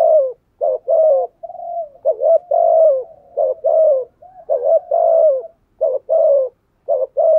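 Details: Low, mellow spotted dove coos in thúc gù style, meant to provoke untrained wild doves: quick double notes alternating with longer falling hoots, about 55 a minute, unevenly spaced.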